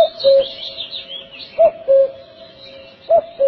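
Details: Common cuckoo in Kashmir calling its clear two-note cu-coo, a higher note dropping to a lower one, repeated about every one and a half seconds over a faint background hum.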